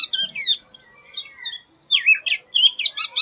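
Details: An unusual, atypical song from an Oriental magpie-robin: loud bursts of mixed high chirps and downward-slurred whistles alternating with softer lower warbling, varied and irregular, with no other clear sounds.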